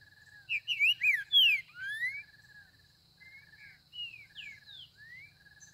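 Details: Green-winged saltator singing in the bush, a series of clear whistled and slurred notes, some rising and some falling, loudest in a burst early on and then softer phrases. A steady high tone hums throughout.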